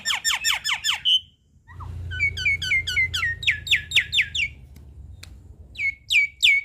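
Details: Black-winged starling in lively song meant for teaching young birds: descending harsh notes finish in a long whistle, followed by fast repeated chirping phrases, strong ringing notes, and a final burst of sharp upswept calls over a faint hum.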